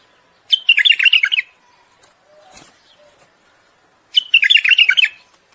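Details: Bulbul singing for mating, to stimulate the female into breeding readiness: two brief bubbly, warbled phrases of about one second each, some three and a half seconds apart, with faint rustling between them.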